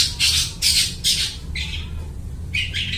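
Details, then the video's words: Long-tailed shrike imitating other bird species, a song played to lure birds: loud rasping bursts in quick succession, then a pause and softer, lower scratchy notes before two more raspy calls. "suara burung cendet gacor niruin suara burung lai"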